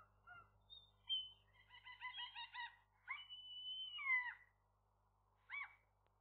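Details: Gull pair at their nest on the day their first egg was laid at midday; a series of harmonic, nasal calls, some with a long level drawn note ending in a falling squeal, then a short separate call.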